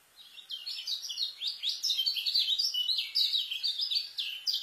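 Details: White-eye (kecial) singing a fast, dense 'speed rapet isian' style song meant as a master for tutoring new birds: rapid high twittering notes, tightly packed, rising and falling chirps with almost no pauses.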